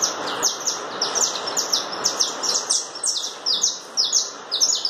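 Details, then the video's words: Canário da terra, or saffron finch, in chapinha carritilha style: loud, rapid repetitions of high, sliding downward notes, about two each second, continuing without a break over faint hiss. "Canário chapinha carritilha."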